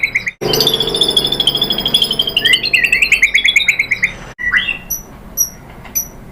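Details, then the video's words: White-rumped shama (murai batu) lure song, played to provoke shamas into answering and singing: loud, rich run of clear whistled and warbled notes, some rapid trilled phrases, a short pause, then sparse high whistles. "pancingan MURAI BATU BIKIN EMOSI NYAUT GACOR BONGKAR MATERI ¦ PANCINGAN MURAI ¦ SHAMA BIRD"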